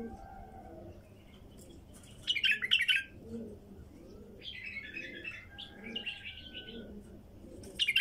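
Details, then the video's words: A wild female bulbul gives short, bubbly bursts of chattering notes with quieter, softer phrases between, over low, steady cooing, perhaps from a dove. "تغريد بلبل نثيه وحشي"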